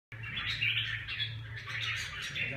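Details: Red-whiskered bulbul singing a continuous run of bright, chattering warbled notes, steady throughout, with a low hum underneath.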